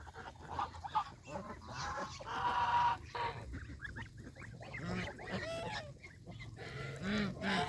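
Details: Geese, both goslings and adults, on a countryside farm pond bank eating fresh grass; a busy mix of overlapping honks and chattering calls from many birds.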